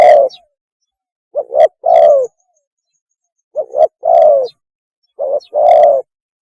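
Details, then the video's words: Lure recording of a spotted dove mating call: paired short coos leading into a drawn-out throaty coo, repeated about every two seconds, with quiet pauses between phrases. "PANGGILAN KAWIN...!!! SUARA BURUNG TEKUKUR TERBAIK"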